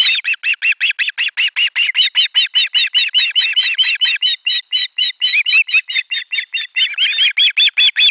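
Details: Chorus of ospreys at a live-streamed nest in Finland, 18 July 2022, shrieking as a fish arrives; a rapid, steady train of short piercing whistled notes, about two or three per second, growing denser and higher.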